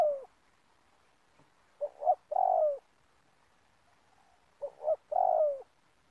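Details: Spotted dove cooing as a decoy for trapping in an oil palm plantation: two matching phrases about three seconds apart, each two quick notes and a long descending coo.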